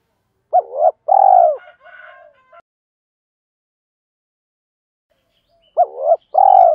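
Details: Spotted dove, a decoy bird calling to challenge rivals and lure wild birds: two short phrases of low hoarse cooing, a quick bent note then a longer sustained coo, repeated after a pause, with a faint buzzy note between.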